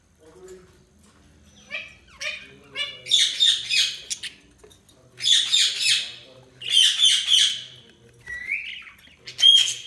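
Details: Budgerigars chirping: busy, rapid warbling chatter in bursts of scratchy chirps and squeaks, with clear whistled notes scattered through and short pauses between phrases.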